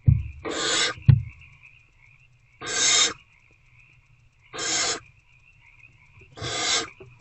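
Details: Hungry owlets inside a nest box at 8:13 pm, 26 February 2024, tackling a rodent: a low knock and thud, then four harsh hissing bursts spaced about two seconds apart, a constant thin high tone underneath.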